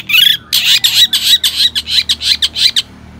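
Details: Long-tailed shrike in energetic song, meant to provoke other shrikes into singing: a thin rising whistle, then a fast chain of rough, chattering squawks about three to four per second.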